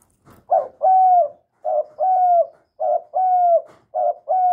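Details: Young male spotted dove calling loudly, a kept bird: each phrase is a short stuttering note and then a long, steady, level coo, repeated four times without pause in a quiet setting.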